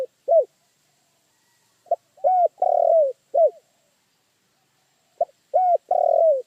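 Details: Spotted dove calling: a short coo, then a quick pair and a long, slightly falling, hoarse coo, the phrase given twice, low and mellow, with silence between.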